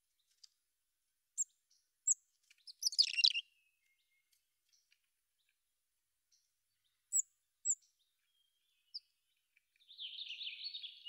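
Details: Mountain chickadee chirping in scattered high, thin notes. Isolated ticks are followed by a short jumbled cluster. After a gap come a few more sharp notes, ending with a longer, harsh, buzzy rattle.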